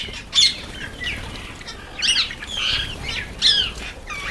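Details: Red-faced mousebirds, a party of ten at a birdbath, give short squeaky high-pitched calls in scattered bursts, with louder notes near the start, middle and end and soft flutters between them.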